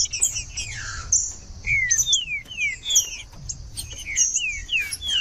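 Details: Green-winged saltator, played to warm up a cold caged bird: clear whistled notes sliding downward, repeated in quick phrases over a dense, steady high chirping of other birds.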